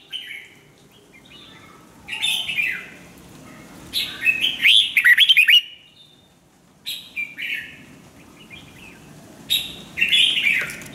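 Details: Red-whiskered bulbul in song training delivers bright warbled phrases at intervals, the loudest a tumbling run of sharp chirps, with quiet gaps between phrases.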